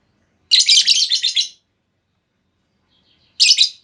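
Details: Female lovebird lure call used to prompt long trilling replies: a rapid run of harsh, high chattering notes lasting about a second, then a pause and a shorter shrill burst.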